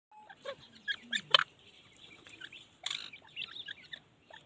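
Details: Partridge with its chicks, a Dakni teeter: a busy scatter of short, sharp chirps and clicks, some high and thin, a few fuller notes, with a brief low call early on, all irregularly spaced over a few seconds.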